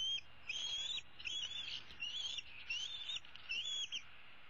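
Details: On 15 April 2016 an older bald eagle eaglet, female, roosts in a tree dangling her leg and calls for food from her parents; five high whistled squealing notes repeated about every 0.8 seconds, each slightly wavering.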